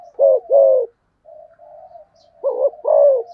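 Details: Spotted dove fast cooing: a pair of rich, hollow coos, then soft low humming notes, then another emphatic coo pair.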